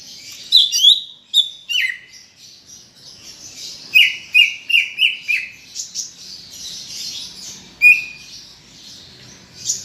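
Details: Greater green leafbird, a caged songbird in full song, used to prompt other leafbirds to sing: high varied chatter with sharp descending whistled notes near two kilohertz in a run of five around four to six seconds.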